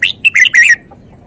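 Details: Red-whiskered bulbul singing a quick, bright phrase of warbled, slurred whistles that rise and fall, in four rapid bursts over less than a second, with a faint lower note after.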